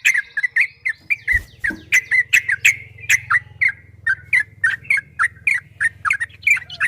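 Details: Yellow-vented bulbul (trucukan) singing in the long, rapid 'ropel' style used as a training recording: dense runs of short, bright, bubbly chirping notes at a quick, steady pace, with a faint low hum underneath.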